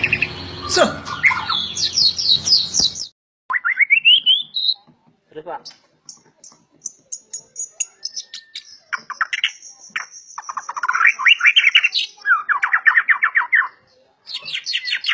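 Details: A white-rumped shama of the prized 'super' kind, known among keepers for an aggressive, agile style, sings broken bursts of high chips, buzzy rattles and quick warbled phrases separated by short pauses, after a harsh noisy start.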